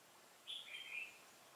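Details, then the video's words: A decoy red-whiskered bulbul used for trapping wild bulbuls sings on 15 November 2017. One short, bright warbled phrase lasts about half a second: a high whistled note followed by a slightly lower, twisting flourish, against quiet background hiss. "Bẫy chào mào"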